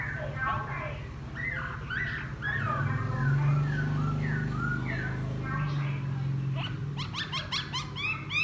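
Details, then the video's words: Laughingthrush newly taken from the wild, kept ten days, singing after bathing, with chattering slurred whistles, then quick repeated trill notes near the end, over a loud low hum. "Khướu bổi hót gió ( chuyện kích bổi hót cực sung"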